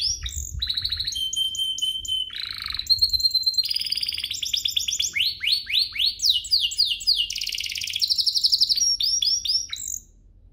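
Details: Canary song used to rouse other canaries into singing: a varied sequence of short trill tours, a pure steady whistle, buzzy rolls and bursts of quick descending notes, ending abruptly.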